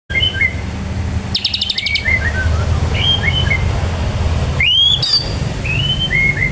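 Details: White-rumped shama singing in the ngebren style with prinia (ciblek) imitation: a few sparse whistled slurs and a brief rapid chattering burst, with a short rising sweep, over strong low rumbling background noise.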